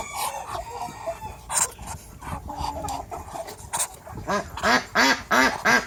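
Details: Chickens and roosters of several breeds in a backyard farm with over 100 animals; scattered rustling at first, then a run of loud, harsh, arched clucks repeated about three times a second toward the end.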